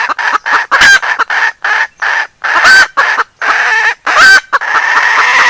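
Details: Mother hen and her chicks answering one another, with nearly continuous loud clucking, short bursts separated by brief gaps, and three especially harsh, strained squawks standing out.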